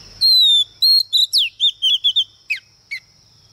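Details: Female Oriental magpie-robin singing as a lure to stir up males: a long pure whistle, then shorter whistles, a sharp downslurred note and a quick string of clipped notes, ending with two sliding calls. A steady high tone runs behind.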